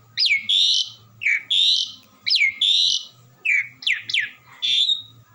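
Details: Nonstop melodious song of an Asian pied starling: loud, slurred whistles alternating with harsh, buzzy squawks, each phrase about a second apart, over a faint low hum.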